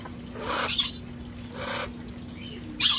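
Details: Outdoor parrots from a sanctuary flock having fun before the cold: scratchy, rasping calls with a high whistled edge, separated by pauses, and a sharp screech breaking in at the end.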